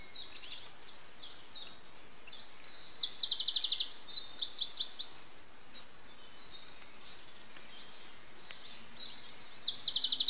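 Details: Eurasian wren adult feeding nestlings, 8 June 2013: intense high begging chatter, rapid pulsed trills repeated in long runs with thin squeaky slurs between, growing busier toward the end over light hiss.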